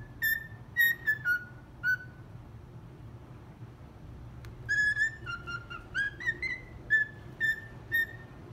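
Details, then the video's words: Pet cockatiel singing the Brazilian children's tune 'Atirei o pau no gato', not quite in tune. It sings when it feels like it. A few clear whistled notes open the clip, then a pause, then a longer run of about ten piping notes that step up and down. "Calopsita cantando 'Atirei o pau no gato'"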